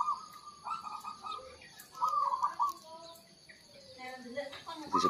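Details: A caged local zebra dove in a Mataraman cage sings in the morning before a contest, giving bursts of soft, rolling, trilled coos two phrases a second apart while the other doves stay quiet, a man talks and other birds chirp faintly.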